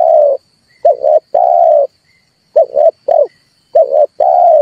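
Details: Red turtle dove calls used to lure birds into traps: repeated low coo phrases, short double notes followed by a long flat hoot, cycling about every one and a half seconds.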